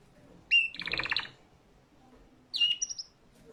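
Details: Singing canary gives a sharp rising whistle that runs straight into a fast rattling trill of about a dozen pulses. After a pause comes a second phrase of high whistles and short chirps, with little background noise.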